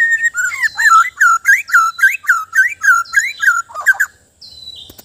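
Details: Loud white-rumped shama (murai batu) song, a steady string of looping, rising whistled notes repeated about three per second for four seconds, ending with a thin high whistle.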